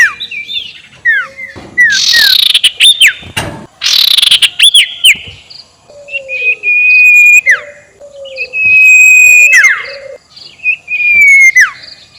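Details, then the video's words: Sirtu ngekek call played as a lure to anger rival birds: bursts of loud buzzy chatter alternating with long level whistles and downslurred notes, with some lower whistled tones between phrases. "SUARA NGEKEK SIRTU BIKIN LAWAN EMOSI"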